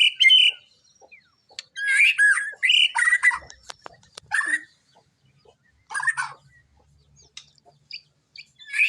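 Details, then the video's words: White-rumped shama delivering scattered bursts of varied song: bright whistles, harsh chatters and quick slurred notes, separated by short silences with faint clicks. "burung muraibatu"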